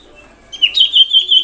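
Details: Common iora call intended to provoke other ioras: a short rising note followed by a fast, even high trill.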